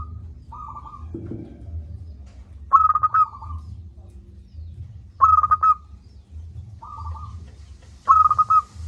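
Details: Local zebra dove singing loudly to coax lazy doves into calling: quieter trilled coos alternate with loud phrases of rapid staccato notes, each loud phrase arriving about every 2.5 seconds, over low rumble.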